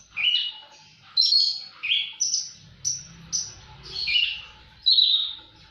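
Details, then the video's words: Javan bush lark singing in bursts: high whistled and buzzy notes, about one a second, some sharply falling, others rich and warbled, with a faint low rumble midway. "Burung branjangan gacor"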